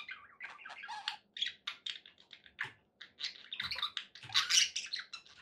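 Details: Budgerigars in a happy mood give a stream of short chirps, clicks and raspy squeaks in quick bursts over a faint low background hum.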